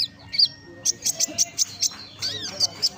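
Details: Active konin song that includes golden grasshopper imitations: a string of short, bright, high ticks and chips, about two to three per second, with brief slurred notes between them.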